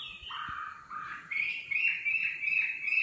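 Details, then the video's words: Singing nightingale delivering a lower whistled phrase that then jumps higher into a run of short, wavering, repeated notes, loud and clear against a quiet background. "Singing nightingale. amazing bird song"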